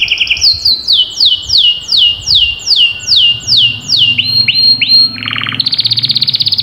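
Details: Canary song intended to set off a silent canary: a long series of loud downward-sliding whistles repeated about three times a second, then upswept notes, a buzzy dip and a fast high rattle.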